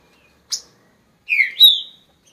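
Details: A lone click is followed by a two-part whistled phrase from a green-winged saltator, falling then rising to a sustained clear tone.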